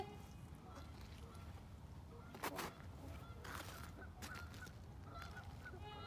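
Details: Trumpeter swans in Hudson, Wisconsin, on March 3, 2021, give nasal, horn-like honks, several scattered notes across a few seconds, over a low rumble of wind and a sharp knock partway through.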